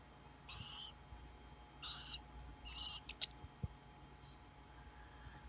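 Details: Captive tropical screech owl chicks, hatched 14 and 16 June 2017, give three harsh, raspy, hissing screeches about a second apart, followed by a few soft clicks and taps over a quiet background.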